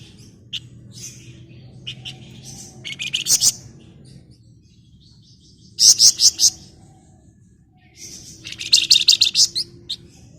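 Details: Female flamboyan calling a male with three bursts of rapid, buzzy, stuttering notes spaced several seconds apart, over a steady low hum.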